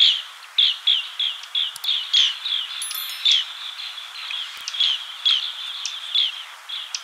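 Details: Green bee-eater calling: a rapid series of short, trilled, rolling notes near the same mid-high pitch, repeated about every half second with varying loudness, plus faint background chirps from other birds.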